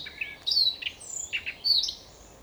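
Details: Siberian rubythroat singing in a forest near Novosibirsk, Siberia, Russia: a quick, varied run of high, thin whistled notes and short sweeping phrases, clear against a quiet background.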